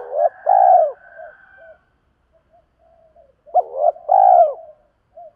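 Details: Spotted dove cooing, a recording used to lure and train birds: two cooing phrases, each a short note followed by a longer, rounded, falling coo, separated by about three seconds of near silence.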